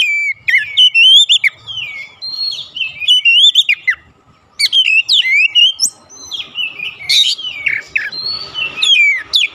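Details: Oriental magpie-robin song used as a lure to provoke other magpie-robins: loud, varied whistled phrases with sharp up-and-down sweeps and harsh bursts, broken by a clear pause near four seconds, with a faint steady hum underneath.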